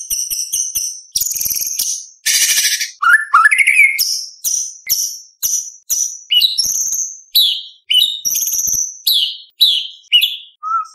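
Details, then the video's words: White-rumped shama in full song, competition-style material with sharp 'shot' notes and rolls: varied high whistles and clipped chirps, each burst separated by short pauses, some noisy rasping phrases early on. "Murai Batu Gacor Full Isian ~ Full Tembakan Materi Lomba - Masteran Murai Trotol Tembak Beset Roll"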